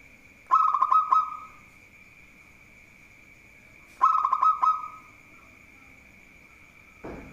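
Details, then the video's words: Singing local zebra dove, kept as a bird skilled at baiting opponents: two separate bursts of clipped staccato notes, each ending in a purring rolled coo, roughly three and a half seconds apart, then a sharp knock; steady high tone throughout. "Perkutut Lokal Gacor || Jago Mancing Lawan"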